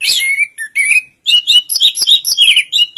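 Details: Orange-headed thrush, known locally as anis kembang, singing a dense run of varied whistled and chattering phrases, sliding notes around the middle register mixed with rapid high twitters, a brief pause near one second, no other sounds.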